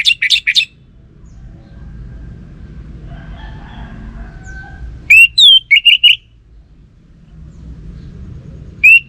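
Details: Orange-headed thrush, kept as a songbird, singing 'gacor': a few quick sharp notes, a long quiet gap with faint murmur, then a burst of clear whistled notes sliding up and down, and a lone note at the end.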